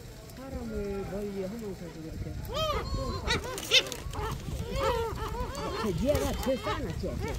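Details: Gulls clamouring noisily at Sinjindo, Seosan, South Korea: people talk at first, then a dense chorus of harsh, arched cries and squeals from many birds overlaps with continuing voices.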